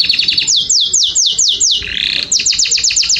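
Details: Canary song for stimulating mating: a quick trill, then about six loud descending whistled sweeps, a brief buzzy rolling note, and another fast run of falling sweeps.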